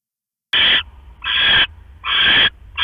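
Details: Owl at the nest near midnight as the male arrives with a rat for the female on her eggs; after silence, three loud scratchy screeches spaced about three-quarters of a second apart.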